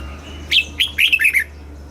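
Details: A red-whiskered bulbul in Thailand sings a single rapid phrase of bright, falling whistled notes. The song is in the southern master style, used to excite caged birds and train young birds. A low hum runs underneath.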